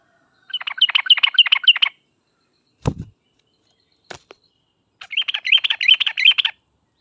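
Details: Lively yellow-vented bulbul song in the sharp 'uplik uplik tarong ropel' style, played so other trucuk answer; two short bursts of fast, buzzy chattering notes, with a dull thump and a click between them.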